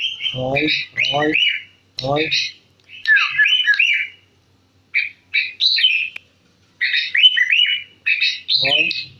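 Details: Sooty-headed bulbul, a cage bird in central Jakarta, Indonesia, giving rapid warbling whistle phrases in bursts, interrupted several times by low, rough, buzzing sounds layered under the song.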